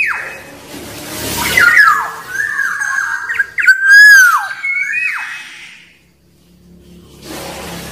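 Black-naped oriole giving mellow, fluty whistles that slide and dip over a few seconds, with brief hissing noise before and after.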